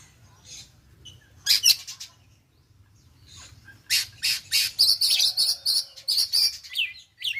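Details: Recently moulted young Oriental magpie-robin learning the konslet song style. A few faint notes and a brief loud burst lead, after a pause, into a fast run of sharp, clipped chattering notes, some swept, about four per second.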